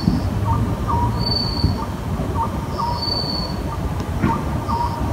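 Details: Late on a summer night, an Oriental scops owl gives short, low, hollow notes repeated about every second. A constant low rumble and a thin high whine recur in the background.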